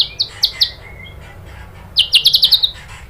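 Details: White-rumped shama song used as a lure to provoke singing: a few short high chirps spaced apart, then a rapid burst of six bright clipped notes near the end, with faint background hum.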